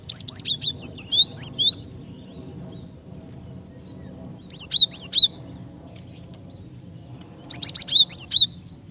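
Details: Female Java sparrow calling a male to trigger singing, delivering three bursts of quick high chirps and upslurred whistles roughly every three seconds over a low steady hum.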